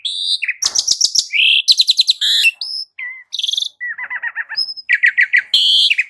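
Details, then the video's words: A dense, varied Asian pied starling song played to coax other birds into singing, mixing rapid trilled chatter, high whistles, and a buzzy rattled passage with almost no gaps. "Cukup 1 Menit Pancingan Jalak Uren Jadi Gacor 💥Masteran Jalak Uren Suren"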